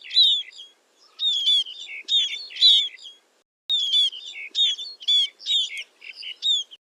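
Scaly-breasted munia giving thin, high whistled notes in short chattering bursts, roughly one burst every second, with a brief pause midway; no other sounds intrude.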